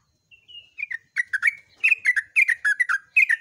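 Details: Yellow-vented bulbul singing at dawn in the long 'gacor ropel' style: a soft rising whistle opens, then quick bubbly, slurred notes dip and rise in a rapid chattering string, with a quiet background.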